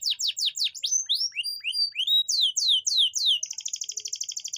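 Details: Canary singing to bring hesitant females into breeding condition: rapid falling sweeps, scattered rising whistles, more sweeps, then a high fast rolling trill.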